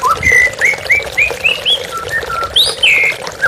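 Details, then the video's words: White-rumped shama song with running water behind, made as a therapy recording: a string of clear rising and falling whistles about every quarter second, ending with higher sweeping notes. "TERAPI MURAI BATU Stres Macet Langsung pulih _ Terapi Murai Dengan Suara Air Mengalir"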